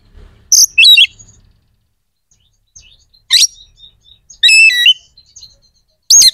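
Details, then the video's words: Scattered 'gacor' phrases of an Oriental magpie-robin, played to rouse other magpie-robins' emotion and breeding drive: sharp high chips, a bright trilled whistle and a lone shrill note, separated by long quiet gaps. "SUARA KACER GACOR🔴 AMPUH JEBOLKAN EMOSI DAN BIRAHI KACER"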